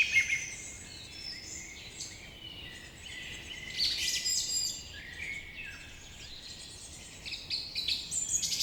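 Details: Quieter morning bird chatter: a mix of distant high chirps, thin whistles and quick trills overlapping steadily, louder bursts near the start and end.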